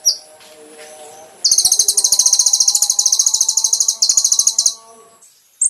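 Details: Olive-backed sunbird (kolibri ninja) song recorded as training material for caged birds: a long, very high, rapid buzzy trill of even pulses lasting about three seconds, with a faint low hum underneath and a short high note at the end.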